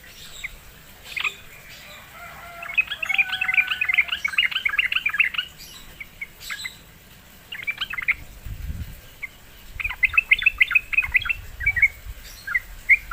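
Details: A sooty-headed bulbul, lured into song, gives lively chattering bursts of fast, bright notes. Three phrases are separated by quieter gaps, with a soft low rumble between them.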